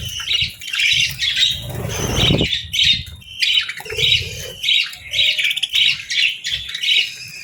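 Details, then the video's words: Pet budgies in morning light, eating and bathing, with a female chirping; rapid scratchy chatter of short buzzy notes, nearly two per second, broken once by a brief noisy splash-like rustle. "Bird Sounds for Relaxation & Stress Relief | Real Budgies Enjoying Morning"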